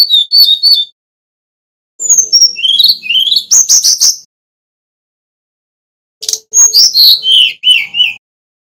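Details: Fluting song of a male Brown-chested jungle flycatcher from Bali: quick high notes, rising whistled slurs, a burst of sharp chips, then after a pause another run of descending whistles.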